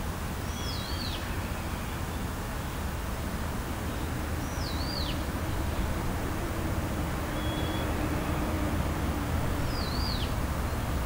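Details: A blue rock thrush in an early-summer city park in Japan sings three clear, high whistled phrases, each swooping up then sharply down, spaced about four seconds apart, over a steady low rumble of traffic.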